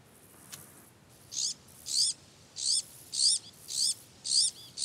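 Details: Iberian magpies (Cyanopica cooki) nesting in a holm oak in southwestern Iberian oak woodland, busy raising chicks with helpers from the group, give high, scratchy rising notes, about two each second in a steady series, over a quiet background.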